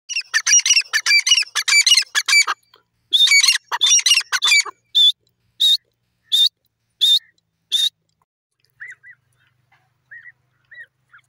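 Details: Francolin (teetar) calling loudly in a fast series of harsh, grating, buzzy bursts for about eight seconds. The bursts come in tight clusters, then spaced single notes, and fade into faint short chirps near the end.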